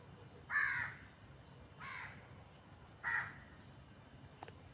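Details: Crows calling with three separate hoarse caws spaced about one and a quarter seconds apart, each short and raspy, over a quiet steady background.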